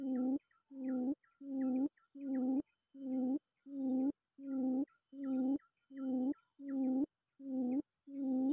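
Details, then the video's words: Quail calling to lure or challenge a rival: a low, steady humming note repeated about every 0.7 seconds in an even rhythm, each hum accompanied by short, higher chirps. "pikat puyuh memangil lawan"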